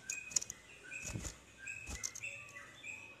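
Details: Yellow-vented bulbul singing to provoke other bulbuls into answering with rapid 'ropel' song: short clear whistled notes and slurred phrases, mid-high pitched, in scattered bursts over faint background noise.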